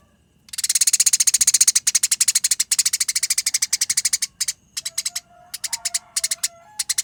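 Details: Eurasian tree sparrows fighting, with long, dense, clear chattering. A continuous run of fast, harsh chirps lasts nearly four seconds, then breaks into shorter, choppier bursts toward the end.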